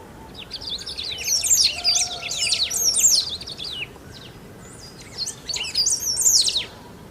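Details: Great pampa-finch from Brazil in loud, nonstop song: dense runs of high, jumbled chirps and slurred whistles in two long bursts separated by a brief pause, over a soft background hiss.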